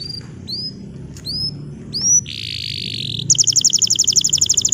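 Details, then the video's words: Bottle-green canary in song, used to train young canaries: spaced rising hooked whistles, a buzzy rattle, then a quick bright trill of evenly repeated high notes. "Kenari Hijau Botol AF Gacor COCOK Untuk Pancingan Kenari Paud Belajar Bunyi !! Canary Singing"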